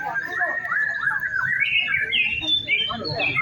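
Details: Afternoon contest-practice session of a white-rumped shama on hanging poles: a flowing warbled phrase climbing steadily from mid to high whistles, with quick trills near the end and murmured human voices underneath.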